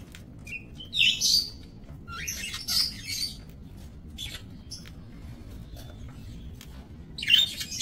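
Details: Several budgerigars in a minimalist breeding aviary, 28 November 2024: rasping, buzzy squawks and chattering bursts early on, then quieter scattered chirps, ending with another harsh burst over low background hum.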